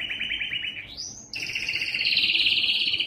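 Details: Yellow canary in song: a quick rolling trill glides upward into a high note, then breaks into a long, rich two-toned warbling roll held steadily to the end.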